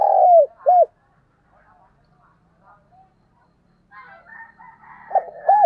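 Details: Caged decoy spotted dove used to lure wild doves, giving low coos around 600-800 range: a drawn-out falling coo then a short arched note, a quiet pause with soft trailing notes, then the pattern resumes.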